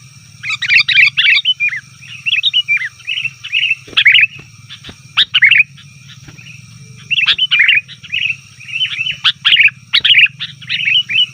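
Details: Sooty-headed bulbuls calling noisily, used to attract wild bulbuls: short clusters of bubbly, slurred chirps repeated every second or two, broken by gaps and a few sharp clicks, over a low electrical-sounding hum.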